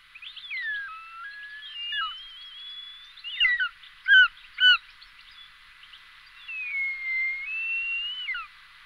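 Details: Short-toed snake eagle calling: long, drawn-out whistles that slide down and level off, several short sharp notes in the middle, then another long wavering whistle, over a steady background hiss.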